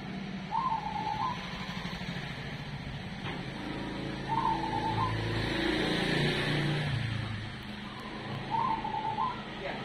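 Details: Zebra dove of the cemani type singing in the Ketekdobel rhythm style: three short cooing phrases spaced about four seconds apart, over a steady background hum and low rumble.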